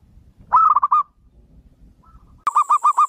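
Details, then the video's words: Local zebra doves calling in reply to each other: a fast run of five or six clipped coos, a faint distant note, then a loud rhythmic series of evenly spaced staccato coos. "SUARA PERKUTUT LOKAL SAUT SAUTAN, PERKUTUT MANAPUN LANGSUNG NYAUT"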